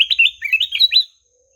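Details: Ruby-throated bulbul singing melodiously: a fast run of about eight bright, slurred, bubbling notes that climb and dip, lasting about one second before silence.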